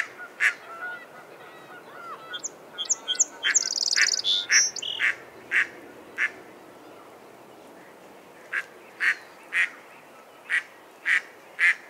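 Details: Mallard quacks, loud and harsh, opening and closing the recording, with a burst of high, whistled chirps and twittering from other birds in the middle and a quiet gap before the final evenly spaced quacks.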